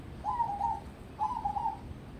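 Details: Short excerpt of a crossbred zebra dove groomed for singing competitions: two quick, rolling coo phrases in close succession, clear over low background noise.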